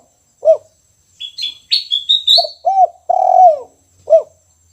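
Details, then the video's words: Caged spotted dove singing the 'kuk 1' song style: low, bowed cooing notes, one drawn out longer, spaced over a few seconds, while higher thin chirps and short whistled notes from another bird run through the middle. "Suara Tekukur Kuk 1 Gacor Disangkar"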